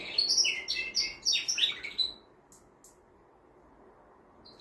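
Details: Singing male canary, stimulating a female to mate: a two-second burst of rapid varied chirps and slurred whistles, then near silence with a few faint clicks and one last short note.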